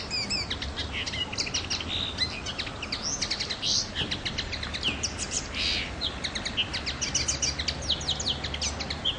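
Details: Common linnet on the island of Pantelleria, 9 January 2011: a continuous, rapid twitter of bright, high chirps and short buzzy notes, densely packed and unbroken, with faint low background rumble.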